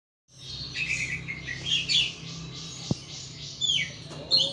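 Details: Caged pet thrush singing in the loud, open ngeplong style: a rapid run of high, clear whistled notes and warbled twitters that starts after a brief silence, with a low steady hum underneath.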